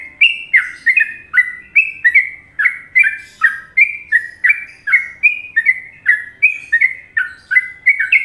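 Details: Yellow-vented bulbul (trucuk) from Indonesia in a tutoring recording of the popular Trucukan song style: loud, bubbly two-part whistled notes dropping and rising, repeated quickly and steadily for eight seconds over a quiet background.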